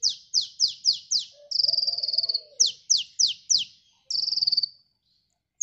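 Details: Sunbird singing for a catching lure: a burst of five falling high whistles, a long fast buzzy trill, four more downslurs, then a second trill and silence.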